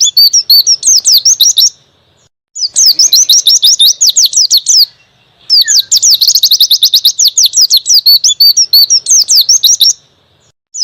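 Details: Ngalas-style song of a white-eye, recorded as tutoring material: dense runs of sharp, high, whistled chips several seconds long, separated by brief silences, with one soft lower note in a gap.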